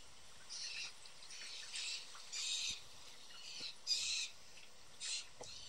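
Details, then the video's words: A group of four young blue jays, energetic and hungry, calls at a backyard feeding station in Southern Ontario, Canada. Seven or so rough, grating screams are spaced unevenly over several seconds against quiet background noise. "A Bunch Of Blue Jay Young Birds Calling"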